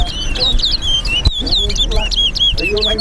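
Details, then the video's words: Competing lesser seed finch, called towa towa, in a race at Lusignan bird ground, Guyana. Continuous bright warbled whistles, looping up and down, with people talking and a count called in the background. "TOWA TOWA BIRD RACE AT LUSIGNAN BIRD GROUND"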